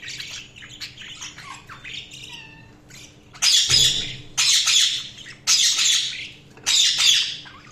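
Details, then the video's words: Budgies calling: soft high chatter and a few whistled notes, then four loud harsh squawks about a second apart, with a low thump and a steady faint hum. "Budgies Sounds| Budgies Chirping sound"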